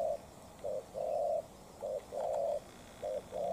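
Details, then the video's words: Spotted dove calls as a bob-tailed decoy faces off against a wild rival. Mellow, low cooing in short-then-long pairs, the longer notes sustained and slightly wavering, repeated in quick succession over a soft rural hum. "Mồi Cụt Đuôi DNa Quyết chiến Bổi Đồng Sấm - 1 con bổi Chất lượng."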